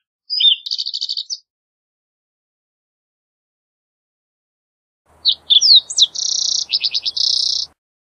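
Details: Green-tailed towhee giving two songs several seconds apart: a short whistle into a buzzy trill, then sharp slurred whistles leading to a long burry trill, rapid descending notes and another buzz; faint low hum underneath.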